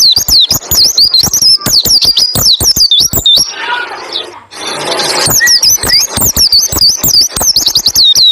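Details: White-eye 'roll' and 'tembak ngalas' song for training other white-eyes to sing: fast, shrill, swooping chirps pour out, interrupted near the middle by nearly two seconds of broad noisy rustle, then the rapid chirping returns.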